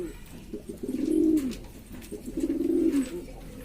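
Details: Domestic pigeons of Lombok, East Lombok, West Nusa Tenggara, Indonesia, kept by hobbyists, in a noisy group: two low, throaty, rolling coos, each about a second long and slightly rising then falling, separated by a short pause.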